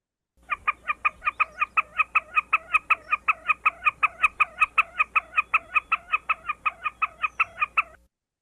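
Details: Wilson's Snipe gives its 'kata' call, usually from the ground or a perch, possibly when another snipe intrudes on its territory and likely as advertising: a rapid, steady series of about thirty harsh, rhythmic notes, several per second.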